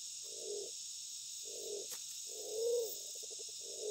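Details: Black-naped fruit dove (Walik Bondol) calling to a female at egg-laying season, giving four low hollow coos about a second apart, the third swelling and arched, followed by a brief stuttering flutter of notes; constant high insect buzz behind.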